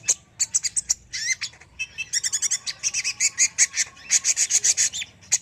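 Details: Energetic sunbird song, the kolibri ninja type: clipped, very high chip notes in quick series, interrupted by short buzzy twittered phrases, steady and unbroken throughout.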